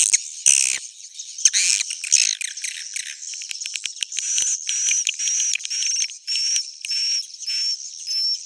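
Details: Suara inap roosting call of edible-nest swiftlets, used to lure birds: rough chattering twitters open, then give way to a run of clipped chirps and short high whistled notes repeated at an even pace.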